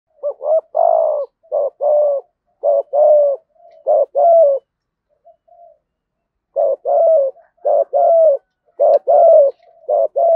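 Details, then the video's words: Spotted dove cooing in the thúc gù and thổ voice styles, used as a lure to stir up newly caught doves; short paired low notes followed by longer throaty descending coos, repeated in close runs with a brief pause midway. "cu gay thuc gù/ chim cu gáy giọng thổ thúc gù/ kích bổi hiệu quả. cu cườm gáy giọng thổ"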